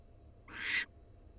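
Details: Female barn owl at her University of Florida nest box, wild, having just laid a second egg; one swelling, harsh hissing screech lasting under half a second, rising in loudness before cutting off sharply.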